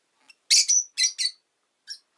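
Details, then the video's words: Loud, harsh screechy chirps from a Rosy-faced lovebird, three or four close together, with a thin whistled tail on the first, then a softer single call. "Lovebird Chirping Sounds"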